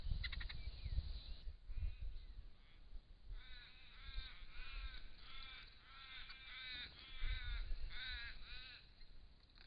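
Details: Immature Crested Shrike-tit, wild, recorded by camera trap in regional Victoria, Australia, chuckling: a run of rapid repeated arched, slightly nasal notes from about three to nine seconds, after a few sharp clicks, with low rumble beneath.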